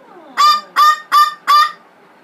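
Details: Four harsh, evenly spaced screams from an angry blue-fronted amazon, upset after being sprayed with water and rose water.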